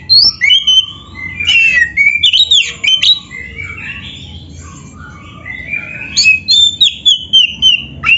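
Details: White-rumped shama (kacer), lively caged bird with varied song used as a training master: rich phrases of slurred whistles and buzzy notes, a quiet gap mid-clip, then another bright run of rising and falling whistles.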